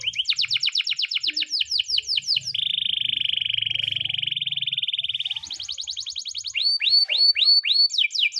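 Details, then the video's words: Canary training song heard in the morning: rapid chopped notes, a long even buzzing trill, a high rattle, then slurred rising whistles repeated several times. "the best canary training song in the morning!!"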